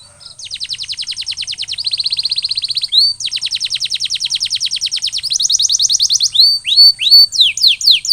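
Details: Canary song meant to get a bird singing actively again after molting: rapid rolling trills of repeated notes changing in tempo and pitch, then loud downslurred swooping notes toward the end.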